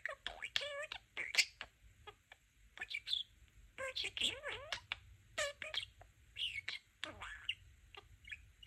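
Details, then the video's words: A male pet budgerigar talking, mimicking speech in fast chattering phrases with warbled, rising and falling syllables, broken by short squeaks and whistled chirps, with brief pauses between bursts. "Talking Parakeet"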